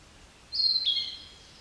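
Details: Narcissus flycatcher singing: a single clear, high whistled phrase that starts abruptly, holds steady, then drops slightly and fades, against a quiet background.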